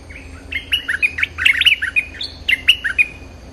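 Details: Lure sound for wild bulbuls: lively, liquid warbled notes in quick clusters, rising and falling, with short pauses between bursts of chattering phrases.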